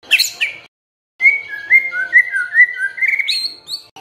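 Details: White-rumped shama song used to provoke silent shamas to sing: a few high sharp notes, then a flowing sequence of slurred whistles that ends in higher, ringing notes.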